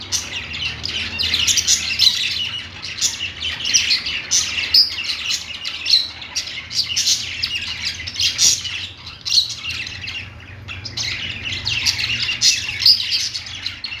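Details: Budgies chirping on a perch, a steady stream of high scratchy warbles and squawky notes from several birds, with brief louder bursts every second or two.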